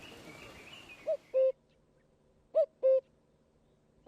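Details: Cuckoo heard after a brief burst of noise: two clean, loud cu-ckoo calls, the second syllable lower and held, with the start of a third at the end.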